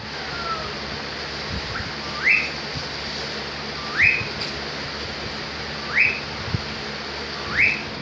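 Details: Cockatiel described as being in a happy mode. It gives four clear whistled calls, each sweeping quickly upward and ending on a high held note. The calls come roughly every two seconds over a steady low background hum.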